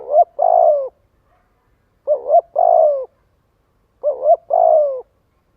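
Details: Spotted dove calling to lure and gather others; mellow coo phrases every two seconds, each a quick pair of notes leading into a longer level-then-falling coo, otherwise silent.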